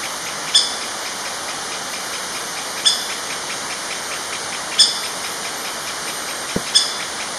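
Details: Young female Orange-backed Woodpecker, Reinwardtipicus validus xanthopygius, on a primary jungle trail in Kledang-Sayong Forest Reserve, Ipoh, Perak, Malaysia, 24 December 2016: four sharp, high, clipped notes roughly two seconds apart over a dense, steady insect chorus.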